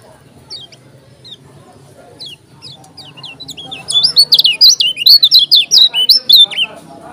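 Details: A Lombok yellow-crowned bulbul sings hard. Scattered thin high notes, then a loud, rapid, tumbling run of sharp whistled chirps lasting about three seconds, with a low hum beneath.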